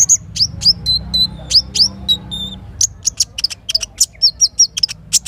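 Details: Morning little spiderhunter song near a forest river: high chips and short rising whistles, then a rapid even series of sharp notes roughly five per second, with low flowing water and a brief low hum.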